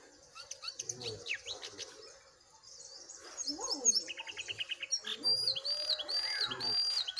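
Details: Jongkangan in full song, a wild bird matched against a caged one in a singing contest: varied chirps and short whistles, a rapid even trill near the middle, then bright repeated whistled notes toward the end.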